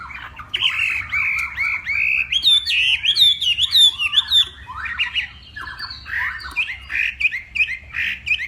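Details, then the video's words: Hwamei of the Vietnamese Northwest in a singing contest at morning voice training, delivering sweeping whistled slurs and clipped high notes in uneven bursts, some phrases harsh and squawk-like. "Hoạ Mi Hót Đấu /hoạ mi hót sáng luyện giọng"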